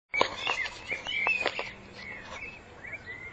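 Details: Common blackbird singing in spring 2014: clear whistled phrases, mid-pitched and fluting, broken by sharp clicking notes, then softer slurred whistles trailing off over a faint steady background hum.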